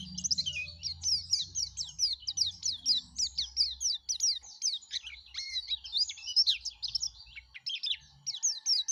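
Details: Lively yellow-breasted white-eye song: dense, fast sequence of high, sharp slurred chips and twitters, almost unbroken, over a faint low hum at the start.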